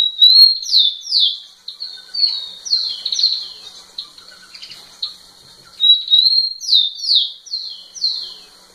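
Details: Rufous-collared sparrow singing intensely in front of a female, repeating its phrase several times: level whistled notes then quick downward-slurred whistles in pairs, with a few faint twittering notes underneath.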